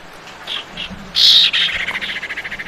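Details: Lure call of a female common iora summoning the male: two soft notes, then a loud harsh buzzy burst that breaks into a rapid pulsed rattle.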